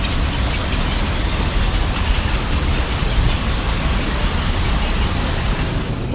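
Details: Steady urban noise with traffic rumble and faint voices, no animal sounds.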